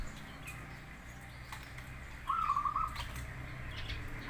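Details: Zebra dove, local or crossbred bird, singing as a lure recording meant to make other doves answer: one short stuttering, trilled coo phrase of rapid beats, fairly high and even, over a steady background hiss.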